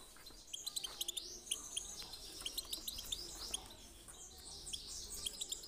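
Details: Singing European goldfinch performing a 'chi chiu' style song meant to excite birds into singing: dense, high twittering with bright tinkles and quick slurred phrases, delivered in an unbroken run over faint background hiss.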